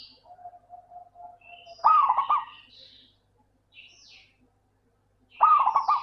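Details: Zebra dove, local bird, whose song serves as a lure for reluctant doves: a soft steady low note, then two loud stuttering coo phrases about three and a half seconds apart, with faint high chirps of other birds between.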